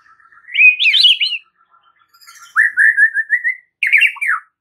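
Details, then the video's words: White-rumped shama (murai batu) singing a masteran for training response: a rising, tumbling warbled phrase, a long slurred whistle held steady, then a sharp buzzy descending flourish. "AUTO RESPON MURAI BATU ANDA DENGAR MASTERAN MURAI BATU SATU INI"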